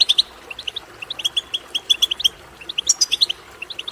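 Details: European goldfinch twittering, used to stimulate a goldfinch to sing; rapid, tinkling high notes in short clustered phrases, about four quick chirps per burst, with a brighter, higher flourish near the three-second mark.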